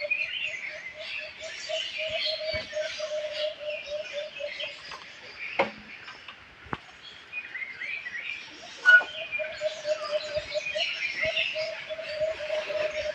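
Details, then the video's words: Birds chirping in a faint, far-off chorus of thin, high twitters, with a steady low pulsing trill that breaks off midway and then resumes, plus a few sharp clicks. "Birds Chirping Sound"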